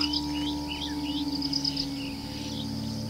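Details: Brief upslurred chirps from an ashy-crowned sparrow-lark, three or four in a row, set against pulsing high insect trills and a steady low drone.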